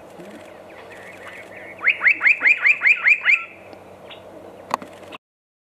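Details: Spot-breasted parrotbill (Paradoxornis guttaticollis) at Walong, Arunachal Pradesh, India, giving a quick run of about eight sharp, downslurred notes, roughly five per second, with a faint background hum and a single click.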